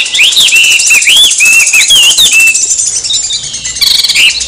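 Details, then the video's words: Oriental magpie-robin song meant to agitate a rival into singing: fast run of looping, rising and falling whistled phrases over a constant layer of high buzzy twittering, ending in scratchy chatter. "Suara kombinasi KACER agar EMOSI, coba aja buat pancingan biar bunyi gacor"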